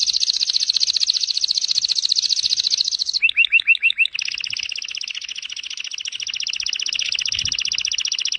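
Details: Canary singing for training other caged birds: a long, fast, high rattling trill, a short run of looping rising notes, then another steady rapid trill lasting several seconds.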